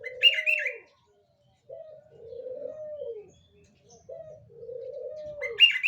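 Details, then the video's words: A spotted dove, used as a lure for other doves, gives mellow low coos in pairs, a short note then a longer sustained one, with brief chirps from another bird at the start and end. "MANGGUNGAN BURUNG PUTAR PENGIKAT BURUNG PUTAR YANG LAIN PASTI BAKALAN IKUTAN"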